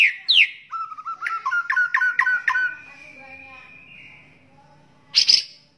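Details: White-rumped shama song recorded as a training track for other songbirds; clear whistled notes, a quick run of repeated sharp chips around a steady tone, fading, then a final loud burst.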